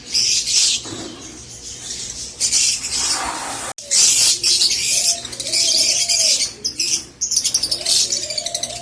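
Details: Rosy-faced lovebirds singing, a recording meant to encourage mating: dense bursts of harsh, high, buzzy chattering that come and go, separated by brief quiet gaps, with a lower wavering sound beneath in the second half.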